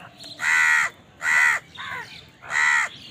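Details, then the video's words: Crows at food, possibly squabbling over it, give three loud, harsh, nasal caws, each about half a second long and spaced roughly a second apart, over quiet background hiss. "Crow bird crowing sound"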